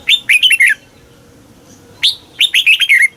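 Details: Thai red-whiskered bulbul delivering a southern-style master song to stimulate caged birds and teach chicks; two crisp phrases of five or six fast, bright, descending warbled notes just over a second apart.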